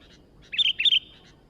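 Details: Sooty-headed bulbul giving a single short, bright, liquid warble of a few rapid notes that rise and fall, lasting under half a second, with a quiet background.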